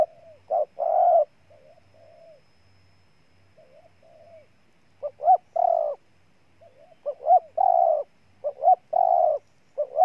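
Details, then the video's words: Spotted dove of Ninh Thuận, Vietnam, giving repeated coo phrases. Quick rising pip-notes lead into a long, rich coo. Faint, soft coos fill the gaps between the loud phrases, roughly every few seconds, against a quiet background. "Cu Gáy Ninh Thuận"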